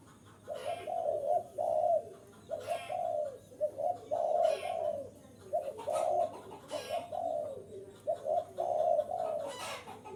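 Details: Spotted dove calling strongly to draw in wild birds, delivering a run of mellow coo phrases, each two or three notes, repeated about every two seconds, with occasional soft clicks.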